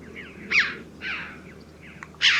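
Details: Red-billed Chough (Pyrrhocorax pyrrhocorax) in Portugal giving loud, ringing 'chee-ow' calls, three strong notes about every second, with fainter calls between.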